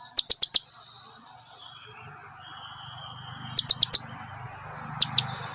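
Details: Blue-crowned hanging parrot calling to draw its companions nearer, giving quick bursts of three to four piercing, very high clicks, then a quiet gap before more short bursts.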